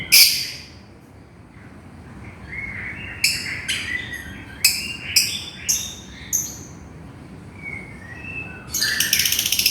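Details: Lovebird calling to its companion: a run of sharp, shrill, buzzy chirps high in pitch, bunched between the third and seventh seconds, with harsher screeches opening and closing the stretch.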